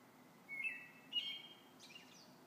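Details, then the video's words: Robin song in the evening: two brief, thin, high warbled phrases half a second apart, followed by a fainter, higher scratchy twitter, over soft background hiss. "Robins evening song"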